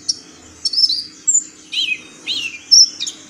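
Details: High, clear twittering notes from an Oriental white-eye, some flat and piercing, others dipping and rising in a wavering slur, about six phrases in three seconds over a faint low hum.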